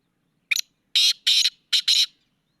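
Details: A black francolin gives its harsh rasping call: a brief opening note, a pause, then four loud scratchy bursts in two close pairs. The background is silent.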